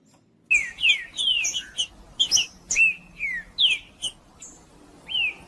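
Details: Male green-winged saltator singing to stimulate and warm up other saltators: loud clear whistled phrases of sliding, downslurred notes, some looping upward, delivered in quick bursts with short pauses between them.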